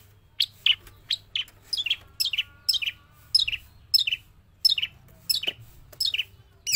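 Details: A trained Javan long-tailed shrike sings continuously, in and out of the cage, producing bright, high, rapidly repeated chip and tweet phrases, each a short downward flick, over a quiet low hum.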